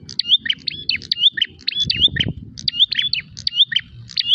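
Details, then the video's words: Combative prinia call made while seeking a rival: high, quick, whistled chirp phrases with rising and falling turns, set over a steady low background rumble. "prenjak gacor narung mencari lawan"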